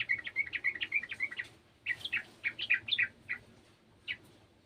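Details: Sooty-headed bulbul answering another bulbul: a fast run of liquid, chattering notes, a brief pause, then a second livelier burst of varied bubbly notes tailing off into single calls.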